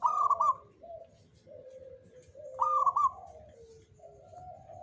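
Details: Zebra dove of local stock giving Jogoboyo-style song, prized as a bringer of fortune: a bright rapid burst of clipped coos opens each phrase, then lower, gentler sustained notes follow; phrases repeat roughly every two and a half seconds, with faint distant chirping.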